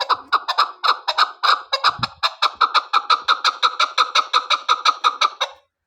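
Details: A female chukar partridge kept for hunting calls in a fast, steady run of coarse chuck notes, roughly twenty in under six seconds. The notes quicken and stay even in loudness, with one dull low thud near the middle.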